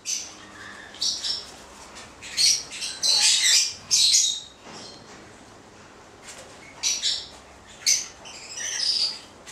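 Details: A pair of male white-bellied caiques, subspecies xanthomeria, trade loud, grating shrieks in clustered bursts separated by brief pauses, with a tight flurry of overlapping screeches in the middle.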